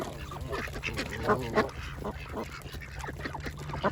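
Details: Ducks of varied kinds feeding together on a pond, a flurry of short nasal quacks with a few louder harmonic calls near the middle, over a low steady hum.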